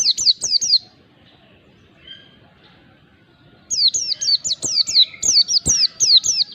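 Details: High, quickly falling chirps from a mountain white-eye in ngalas style, played to stir a lazy bird into song; a brief opening burst, a pause, then a long even run of about a dozen notes.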